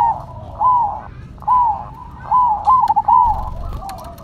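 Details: Two Zebra doves, a cemani and a silver variety, give soft, mellow cooing notes around one pitch, several short phrases repeated about every second, one with a quick stuttered run.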